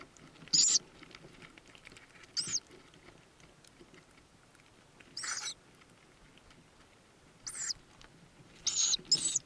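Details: In a nest box in the Börzsöny mountains near Szokolya, Hungary, in spring 2026, owlets hatched in April give six brief, very high, thin squeaky calls, one to three seconds apart, over faint hiss; Tawny owl.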